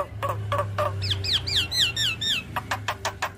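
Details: Javan myna song with head-bobbing, played to coax quiet mynas into replying; after a few harsh clicks comes a run of five high, slurred whistles sweeping downward, then more dry rasping bursts.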